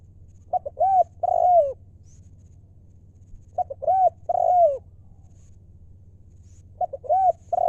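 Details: Spotted dove kept as a decoy, wild stock, 'lio' call style: three matching coo phrases about every three seconds, each with brief stuttered notes, an arched hoot and a long falling coo, over low hum.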